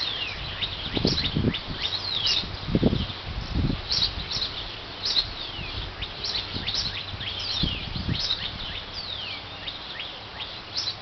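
A female Northern Cardinal sings quick, clear down-slurred whistles, repeated in loose bursts, over low rumbling wind or handling noise.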